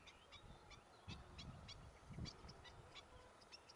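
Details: Black-winged stilt chicks recorded in Gran Canaria in June 2020: brief high peeping notes in loose series, mixed with low rumbling thuds and background noise.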